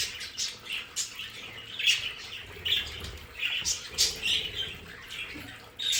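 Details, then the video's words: Pet budgerigars in a play area chirp and warble, with short bright notes roughly every half second over softer scratchy chatter. "Sonidos de periquitos Australianos"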